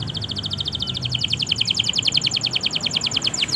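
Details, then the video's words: Long-singing canary whose song is played to encourage silent canaries to sing: a steady run of quick, repeated high chirps, each note dropping slightly in pitch, continuous throughout, with a low background rumble. "pancingan suara burung kenari gacor panjang! ampuh merangsang kenari yang susah bunyi"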